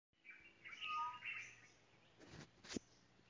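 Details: Tropical boubou (Laniarius major) giving a short burst of low, clear whistles mixed with harsher, scratchy notes, followed by a couple of sharp clicks or knocks.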